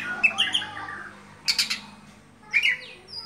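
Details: Caged Kacer Dewa Air oriental magpie-robin in full open 'buka-bukaan' song: sweet whistled phrases near the start, then brief harsh scratchy bursts separated by short pauses.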